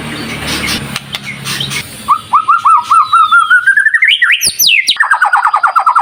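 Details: Lure recording of a White-rumped shama singing in chatty 'gacor' style: after a faint noisy start, a string of short whistled notes climbs steadily in pitch, breaks into sharp high sweeps, then settles into rapid repeated lower notes.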